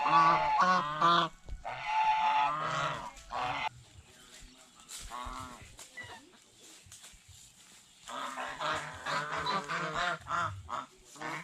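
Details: Honking geese at a fish pond while feeding on bread and fresh vegetables, harsh nasal calls in clustered bursts, fading into a quieter stretch before renewed overlapping honks.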